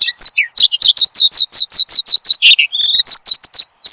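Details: Singing Oriental skylark, recorded as training and lure material for cage birds: a run of quick downslurred chirps repeated almost three per second, broken by a lower burry note and a harmonic-rich buzz before more chirps.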